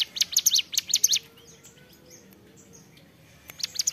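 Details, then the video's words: Hill prinia (ciblek gunung) in lively ceplekan song: a quick run of sharp, high chirps lasting about a second, then a quiet gap before a fresh burst of notes. "CIBLEK GUNUNG GACOR CEPLEKAN"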